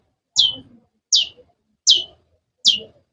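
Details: Cendet, or long-tailed shrike, repeating one sharp high note that slides steeply downward, four times at steady intervals of roughly three-quarters of a second, with silence between.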